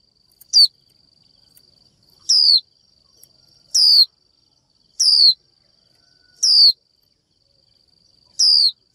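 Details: Female Japanese white-eye calling a male with the 'chíu' call that prompts males to sing. Six sharp descending whistles come about every one and a half seconds against a constant thin electronic-sounding tone.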